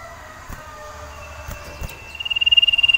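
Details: Caged male sirtu iora in breeding condition, calling for a female to mate: after faint background, a rapid, evenly pulsed high trill on one pitch begins at the two-second mark and continues to the end.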